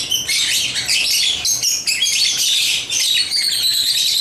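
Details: Pet African lovebirds chirping while playing with toys; a steady stream of shrill, squawky chirps and thin whistled notes, overlapping and almost unbroken throughout.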